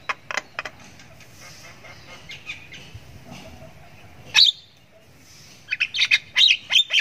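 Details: Javan myna chick giving long ngriwik calls while learning to vocalize: a few harsh squawky bursts at the start, a quiet low hum through the middle, then a renewed run of rasping, scratchy chirps near the end.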